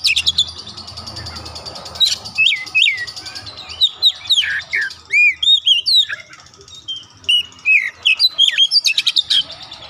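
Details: Kacer (oriental magpie-robin), an untrained 'bahan' bird in full 'gacor' song: a near-continuous flow of varied whistles, downslurred notes and quick sharp chips, ending in a fast chattering run.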